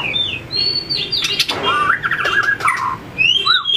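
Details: Fighting-song practice by a White-rumped shama, tail-flicking on its perch; clear whistles give way to a buzzy, wavering warble and chatter, then rising whistled notes, with a few sharp clicks.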